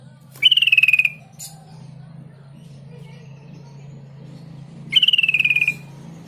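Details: Sooty-headed bulbul lure recording meant to make other bulbuls answer. Two rapid pulsed trills, each under a second, start high and slide slightly downward, about four seconds apart, over a steady low hum.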